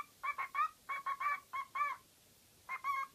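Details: Pet parrot making varied noises, heard quietly: clipped, nasal, honk-like notes in quick groups of two or three, separated by short gaps, over faint background hiss.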